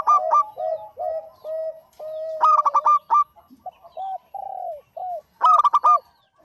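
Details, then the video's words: Lively zebra dove song, a local bird: a run of soft clipped coos broken by two bright, rapid ringing bursts, with scattered short hoots in between. "Suara Burung PERKUTUT LOKAL GACOR"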